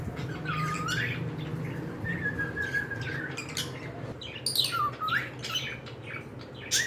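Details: Pet cockatiels indoors giving several drawn-out whistles that dip and rise, mixed with bursts of sharp chirps and squawks over a constant low hum.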